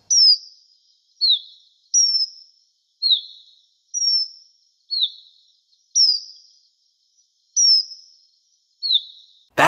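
Arnot's Chat giving clear, high whistled notes that slide downward, alternating higher and lower, about one per second; a sharp click ends it.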